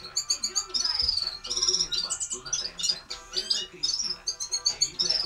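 Red-fronted serin singing a fast, high, jingling twitter of short chirps and buzzy trills, poured out without pause.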